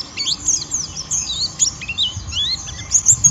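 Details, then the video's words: White-eye giving rough ngeriwik song meant to provoke other white-eyes into singing; high thin twittering notes and sweeping whistles, fairly busy and continuous, with low background rumble. "Pleci Ngeriwik Merangsang Lawan"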